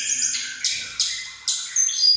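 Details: Mountain tledekan birds competing by voice: high, sweet whistled phrases broken by sharp emphatic bursts roughly every half second to second, the pitch shifting between each.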